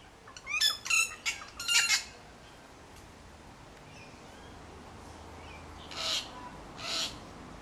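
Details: Wattlebirds driving a kookaburra from a backyard near their nest about two metres away give a quick run of harsh, raspy squawks, then two more rough, coughing calls after a pause. Quiet background.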